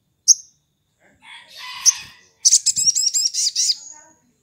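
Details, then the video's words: A Sooty-headed Bulbul calls in the morning, used as a lure to prompt other bulbuls to call. It gives one sharp high chip, then a rapid, bright chattering run of about a dozen buzzy notes over two seconds, with soft rushing noise. "sogon ngalas"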